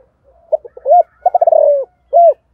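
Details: Morning coo of a spotted dove of the thổ voice style: soft hesitant notes, a rounded rising-falling coo, a quick stuttered series sliding into a drawn-out falling note, then a final arched coo.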